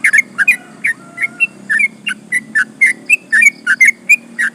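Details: Energetic sooty-headed bulbul in long 'ropel panjang' singing, used to provoke competitors: uneven series of short bubbly whistles, some paired, flicking between two pitches over a low background murmur.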